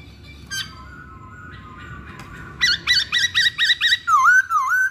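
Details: Masked laughingthrush lure song: a faint opening note, then six quick repeated chirping notes followed by two loud swooping whistles.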